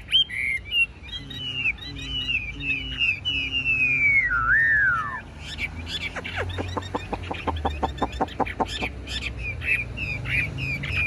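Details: Tame caged Chinese hwamei ('bánh tẻ' bird, large fanned tail) delivers sweeping whistled notes and a falling slur, then switches to a fast run of sharp, clicking staccato notes, with low rumbling in the background.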